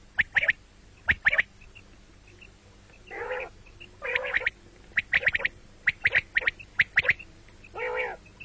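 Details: Quail call described as morning and night, common quail: crisp staccato notes in quick clusters, interrupted by several longer, raspy, nasal bursts.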